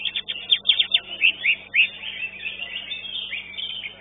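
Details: Greater green leafbird singing at a bird-song competition, an entry that placed second. It gives a rapid, varied run of sharp chirps and slurred whistled notes, starting with quick downslurred strokes, then warbling phrases that fade into a busy twittering background.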